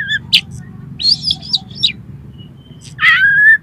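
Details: Lure song of the Oriental magpie-robin, or kacer, meant to set a kacer singing and spreading its tail: scattered chirps and sweeping whistles, ending in a long, steady, loud whistle.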